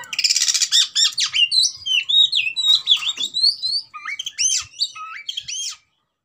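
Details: Oriental magpie-robin in aggressive fighting mood begins with a fast buzzy rattle. Then comes a quick sequence of bright rising and falling whistled slurs, about one per second, ending abruptly in silence.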